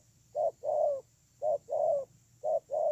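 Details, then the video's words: Spotted dove used as a ground decoy bird, giving paired coos: a short note then a longer falling one, around 500 to 700, repeated about once a second, three pairs; a steady high hum underneath. "CU GÁY"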